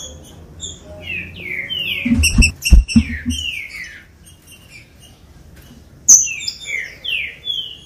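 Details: Green-winged saltator song used to warm up captive birds: loud slurred whistled notes, some rising and some falling, in short phrases. A cluster of high chirps and low knocks comes near the middle, then a fresh run of whistles follows.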